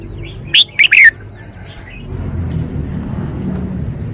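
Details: Red-whiskered bulbul in a cage sings a single bright phrase of three fast whistled notes, the final one dropping in pitch, followed by low rumbling background noise.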